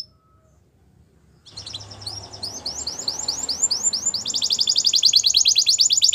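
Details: Belgian canary singing a training song, starting after a quiet gap: soft repeated curved whistles building into a loud rapid trill over low background noise.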